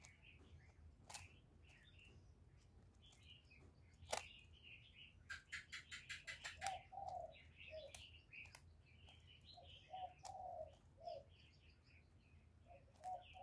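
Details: Spotted dove cooing continuously to stimulate other doves, recorded directly outdoors; soft, low mellow coo phrases come in short groups around the middle and end, mixed with plentiful high chirps from small birds and a few sharp clicks.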